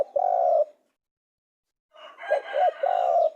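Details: Spotted dove with a sustained low coo, then after a pause another short-short-long phrase partly overlapped by a harsher, buzzier sound.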